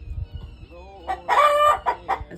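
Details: Rooster gives a loud, harsh, broken crow of about a second, rising then holding before breaking off, while a hen lays an egg. The owner believes this deters predators and lets the laying hen relax.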